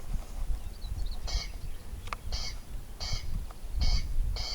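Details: Rasping, grating corncrake calls come in short bursts about once a second against a background of low rumble.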